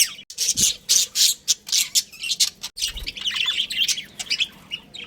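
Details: Budgerigars of a breeding pair chirp loudly in quick rhythmic bursts, about three to four sharp high notes per second, then slip into a busier scratchy warble.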